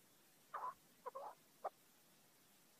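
Chukar partridge giving a few short, husky clucking notes, spaced unevenly about half a second apart, against a quiet background.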